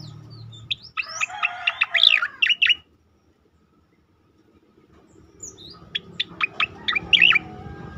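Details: Striated grassbird song for training and provoking other birds; two bursts of rapid sharp notes and swooping whistles separated by a silent pause, with steady background hum.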